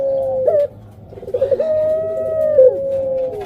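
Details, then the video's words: Breeding female puter pelung dove ready to lay, giving a short rolled note, a pause, then a stuttering lead-in swelling into one long level coo that dips at the end. "Suara Indukan Burung Puter Pelung"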